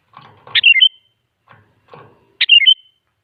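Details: Sooty-headed bulbul singing as a lure to prompt other bulbuls to answer: two bubbly whistled phrases about two seconds apart, with soft low rustling and knocking sounds around them.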